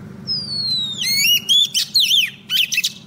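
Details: Female Oriental magpie-robin calling to a male as a lure bird: a long clear whistle gliding down, then quick up-and-down warbled and buzzy notes in short bursts.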